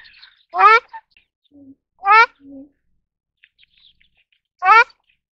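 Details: Ruddy shelduck (Tadorna ferruginea) giving three loud, nasal, honking calls at irregular intervals, with a few softer, lower notes between them.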